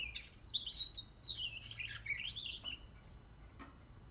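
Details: Young canary, 44 days old, giving a soft, rambling warble of twittering notes that rise and fall, with a few faint clicks near the end.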